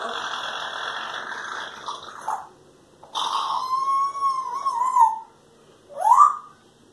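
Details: Pet parrots imitating human coughs and farts: a long harsh raspy noise, then a sustained whistled tone with a wavering end, and finally a brief rising squeak.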